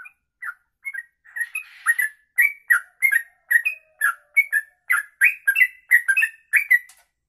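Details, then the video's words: Sooty-headed bulbul giving a long 'ropelan' style song, suited as a master recording for training birds: rapid run of short whistled and chirpy notes, sliding up and down, delivered almost continuously with hardly any pauses. "Trucuk Kongslet Ropelan Panjang, bisa buat masteran"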